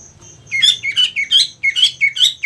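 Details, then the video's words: Cucak ijo (green leafbird) in competition setting, pouring out loud, rapid looping whistles that sweep up and down, about five per second, with a faint steady high tick and low background hum. "Beberapa macam cara penerapan settingan lomba untuk cucak ijo"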